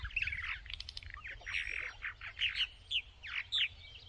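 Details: Purple martins recorded in 2024, giving a busy sequence of short gurgling, chirping notes and rich warbled phrases with slurred rising and falling tones, irregular and overlapping, over a low rumble.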